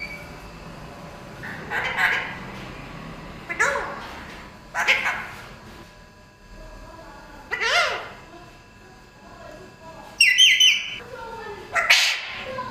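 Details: Talking parrot indoors producing speech-like bursts with falling and rising harmonic strokes, spaced over several seconds, with a higher whistled burst near the end, over faint room hum.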